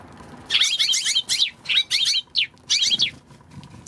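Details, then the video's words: Eurasian tree sparrow on March 16. It gives bursts of sharp, high, slurred chirps in quick clusters, about eight bursts over three seconds with short pauses between them, over quiet background noise. "今日のスズメ ３月１６日"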